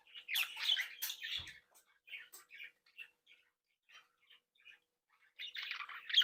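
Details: Australian budgerigars in a captive breeding flock, chattering and tweeting as they interact. A burst of busy warbling is followed by scattered short chirps with brief silences, then another lively burst of chatter at the end.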